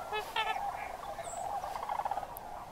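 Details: Sandhill cranes on autumn migration at Crex Meadows, Wisconsin, in October at evening or early morning. Two or three harsh, rolling calls up close are followed by a rattling murmur from the distant flock.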